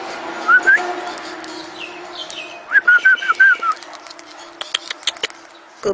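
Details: A pet male galah gives soft, wavering whistled notes while enjoying a head scratch: a short burst early, then a chattering run of five or six notes, with scattered clicks and rustling.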